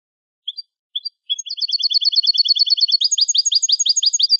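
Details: European goldfinch song in Spanish style, meant for tutoring young birds: two brief high notes, then a fast, even trill of high twittering syllables that climbs slightly and runs on without pause, no other sounds.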